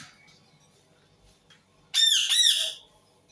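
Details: Indian ringneck parakeet screaming: after a quiet start, a loud harsh burst of two arching, grating screeches lasting under a second, then silence.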